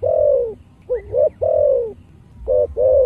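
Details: Spotted dove cooing in the deep 'giọng thổ' voice style, with the full 'chiêu-thúc-gù' phrasing. Long, low, hoarse coos are broken by a short double note that rises briefly, then two more steady coos. Faint background hum.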